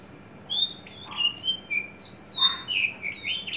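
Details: Tame adult male Horsfield's bush lark, caged and just coming into breeding condition, described as very loud. Short high whistled and slurred notes, some falling, with brief buzzy lower bursts, delivered in an uneven string of separate phrases with little background.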